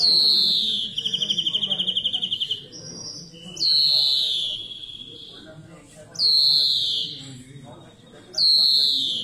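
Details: Greenfinch song made of a fast even trill followed by three loud, nasal, falling wheezes spaced about two and a half seconds apart, with soft chirps filling the gaps.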